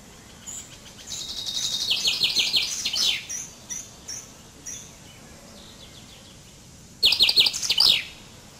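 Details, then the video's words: Common chaffinch (Fringilla coelebs) singing: a rapid descending series of bright, high trilled notes ending in a flourish near three seconds, a few soft chips after, then a second shorter burst of the same trilled phrase at seven seconds. "Canto del Pinzón Común"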